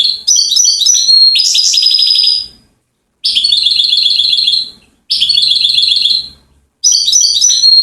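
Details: European goldfinch from Settat, Morocco, called king of singers: four dense bursts of very high ringing twitters and fast trills, separated by abrupt silent pauses.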